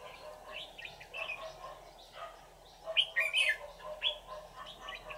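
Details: Red-whiskered bulbul of the white-cheeked type, a decoy singing during a trapping session on 24 July 2019 to lure wild bulbuls. Short bright chirps and clipped whistled phrases, loudest in a burst near the middle, over faint background noise.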